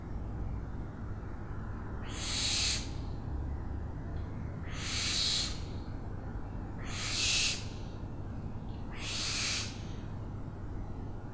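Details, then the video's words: Owl repeating a rough, breathy hissing screech four times, roughly every two to two and a half seconds, each lasting under a second against low background rumble. "OWLS SOUNDS"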